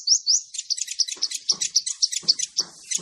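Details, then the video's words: Male sunbird used as a trapping lure, singing a fast, high-pitched chatter of bright chirps and squeaks, several per second, with soft low clicks in the background. "SUARA BURUNG KOLIBRI NINJA BUAT MIKAT"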